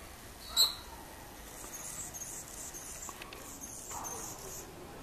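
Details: Anna's hummingbird mating dive: one loud, sharp, high squeak lasting a split second, followed by a faint, steady high hiss and light background noise.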